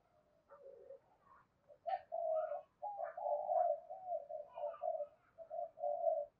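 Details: Spotted dove calling to stimulate other doves: a run of low, hoarse cooing notes with a few short rising phrases, fairly quiet, with faint background hiss.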